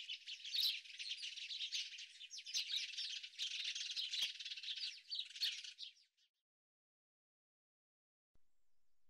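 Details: House Sparrow chirping: a dense, continuous chatter of bright, overlapping chirps lasting about six seconds, then silence.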